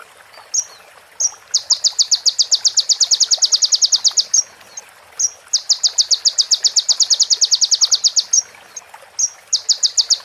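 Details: Konin, the crimson sunbird, recorded clean as a master song for tutoring other birds: extended runs of fast, metallic, high repeated notes, broken by short whistled slurs and a few seconds of pauses.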